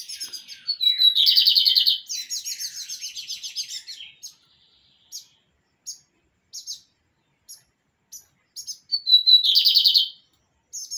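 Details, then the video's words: Pirata song of a kept lined seedeater: loud buzzy trills open and close the phrase, with a string of sharp, evenly spaced high chips between them, repeated several times over eleven seconds. "BIGODINHO PIRATA DO NOSSO AMIGO ALLISON CANTANDO MUITO BONITO SEMPRE DANDO UM SHOW DE MELODIA!"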